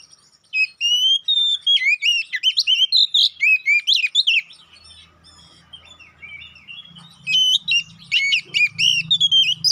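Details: Oriental magpie-robin, kacer poci, loud lure song for provoking fights: dense run of bright whistles, upslurs and harsh chips, a softer mumbling pause, then a renewed burst of rapid whistled phrases; faint low hum.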